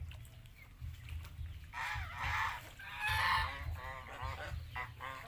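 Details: Farm geese in Asia calling: overlapping brassy honks building in the middle of the clip, with a constant low droning rumble throughout.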